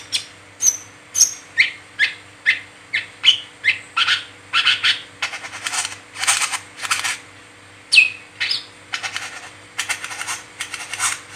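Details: Brown-throated sunbird delivering the continuous chattering 'ngeriwik teler' style, used as a lure to stir other sunbirds into song: quick high chirps and sweeps alternating with dense scratchy rattling bursts, almost unbroken for eleven seconds over a faint steady hum.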